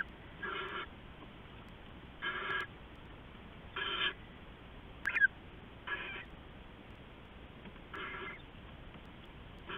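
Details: Owls at a nest before dawn, 4:31–4:40 AM on 15 November 2015, as an adult brings rats to the owlets; seven harsh, breathy hissing bursts, each under half a second, repeat about every one and a half seconds over a steady background hum.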